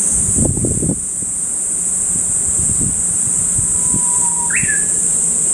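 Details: A Japanese bush warbler gives one song: a drawn-out, level whistle that breaks into a short, upward-flicking phrase. Continuous shrill insect noise and several low thumps come earlier.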